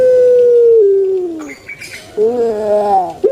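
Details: Kept puter pelung turtle dove giving a pelung-style call: a long, steady, hollow coo that slides gently lower, a short pause, then a wavering rising-and-falling coo ending in a brief clipped note.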